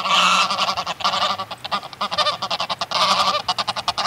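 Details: Greylag geese in a flock heard close up, calling excitably: loud harsh honks at start and again near three seconds, separated by rapid rhythmic wing-flapping pulses.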